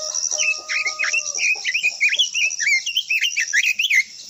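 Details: Japanese white-eye (quế lâm) in long-voiced song used to excite other birds: continuous rapid high warbling of looping, slurred notes for about four seconds, set against a constant shrill droning background.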